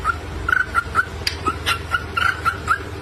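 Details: Cockatiel kept as a pet giving brief clear whistles at one steady pitch, about three per second, mixed with soft clicks and a faint low background hum.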